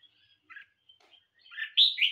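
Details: Caged red-whiskered bulbul singing in competition: faint scattered chirps, then a loud burst of warbled, rich notes in the last half second. No other clear sounds.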